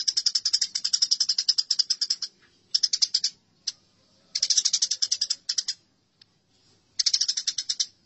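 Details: Fighting house sparrows: a long, rapid, rasping chatter opens the clip, followed by shorter rattling bursts and isolated chirps with brief pauses.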